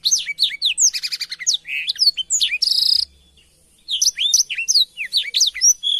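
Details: Black-throated canary singing as canary tutor material: fast twittering of rising and falling whistles and a rattling buzzy trill, then a near-silent pause of about a second before brisk chirping notes resume.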